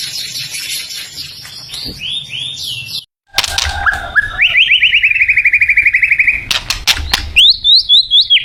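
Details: White-rumped shama from Thailand giving varied song: high sweeping notes, then a long series of rapid repeated chirps, sharp clicks and looping whistled notes at the end.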